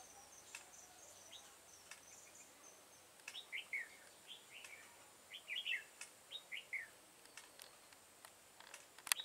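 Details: Red-whiskered bulbul, a devil-face bird, recorded while being trapped with a decoy bird on 22 September 2018. Quieter, brief warbling phrases rise and fall against a hissy background, broken by occasional sharp clicks.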